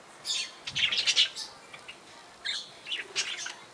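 Barred parakeets give quick, high chirps and twitters in two chattering bursts, with softer notes in the pause between.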